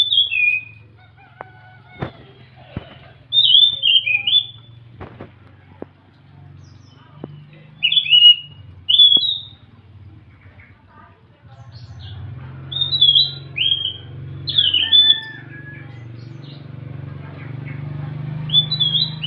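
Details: In the morning, a Scaly Thrush sings slow, clear whistled phrases, each a short downslurred note cluster separated by pauses.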